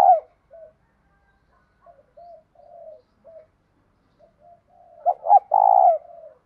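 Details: A spotted dove gives its full-song morning call, 'thổ' style blended with 'thúc gù', to lure wild doves. Scattered faint short coos precede a closing burst of two clipped notes and a long, loud, slightly falling coo.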